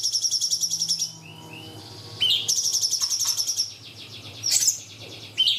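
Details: Cungkok song used as a master for young birds: extended high rattling trills with a few sliding whistled notes between them and faint background noise.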